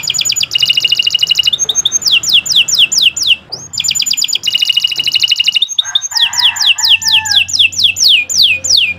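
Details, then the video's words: Canary of the kenari nusantara type singing a long song used as a training master for other birds: dense high trills alternating with rapid series of sharp descending whistled sweeps, repeated in bursts with brief pauses. "Kicau Burung Kenari 102 II GACOR PANJANG Cocok untuk Masteran"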